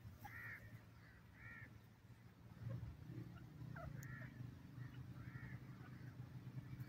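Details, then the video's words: Iranian teetar (grey francolin) giving spaced, ringing double-toned notes roughly once a second, set against a steady low engine-like hum. "pheasant best teetar sound, irani teetar awaaz"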